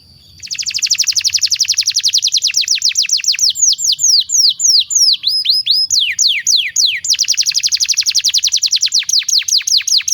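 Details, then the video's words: Canary master song meant to train young birds: long fast trills of rapid chips alternate with slower sweeping downslurred whistles, loud and continuous throughout. "SUARA BURUNG KENARI PANCINGAN MASTERAN PAUD BIAR GACOR PANJANG"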